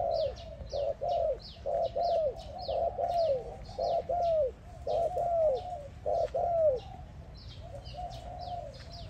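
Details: Spotted dove calling another dove: a steady run of low, soft coos, each ending in a short downward hook, given roughly once a second, while small birds chirp sharply and repeatedly higher above.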